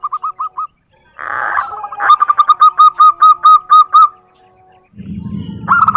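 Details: Zebra dove song used as a lure for local doves: a few short clipped coos, a brief rustle, then about ten clear, evenly spaced rising-falling cooing notes, ending with a noisy burst and another call.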